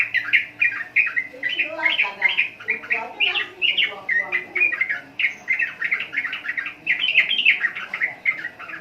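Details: Sooty-headed bulbul (trucukan) in a steady, continuous stream of loud, bubbly, chattering phrases repeating with barely a break, lower throaty notes mixed in.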